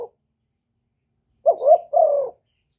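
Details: A decoy spotted dove from Ca Mau, Vietnam, used for luring wild doves, gives one coo: a brief double-peaked rising note then a longer falling, slightly rough coo after a silent pause.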